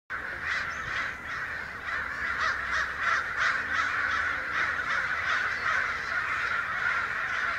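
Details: Many excited crows, perhaps a hundred, raising a racket down a street in Santa Rosa on May 29, 2013: a dense, overlapping chorus of harsh caws rolling on continuously, most birds out of sight.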